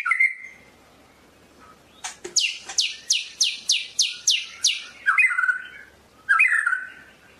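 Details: Medan white-rumped shama song: a whistled opening, then a rapid series of about eight sharp descending sweeping notes at an even pace, ending in fuller warbled whistles, with no other sounds.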